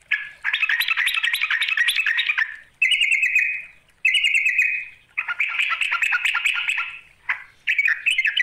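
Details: Yellow-vented bulbul calling toward a rival: a dense, bubbling chatter, two short buzzy trills, then more warbled chattering.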